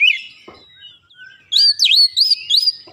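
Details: Oriental magpie-robin stirred by a lure recording: a soft opening note, a pause, then a loud run of swooping, bright whistled notes.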